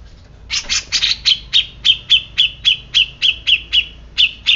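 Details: Agitated Grey-cheeked bulbul, said to be usually silent, delivering a fast, steady run of about fifteen sharp, down-slurred chirps, nearly four per second, clear over a faint low rumble.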